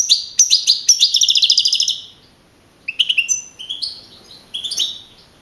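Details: European goldfinch, a young field-type male that won a singing contest in Navalcarnero, Spain, on 15 April 2012: a rapid rattling trill of repeated sharp notes, a pause, then two shorter twittering phrases.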